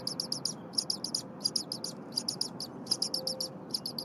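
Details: Young eagle at Berry College, recently fed by the father, is very vocal while the mother defurs prey on the nest at 8:00 AM. Rapid, sharp, high chirps come in evenly spaced groups over faint broadband noise.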